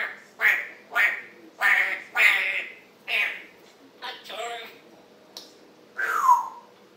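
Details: Morning chatter from a pet African grey parrot, July 26, 2021: a rhythmic series of harsh, quacking, speech-like bursts about twice a second, ending in a falling whistle.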